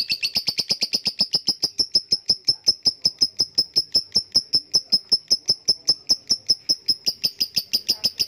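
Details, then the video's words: Lovebird delivering a long 'ngekek' trill: sharp high chattering notes repeated steadily about five times a second without a break for over eight seconds, even in pitch and loudness throughout. "Lovebrid ngekek panjang"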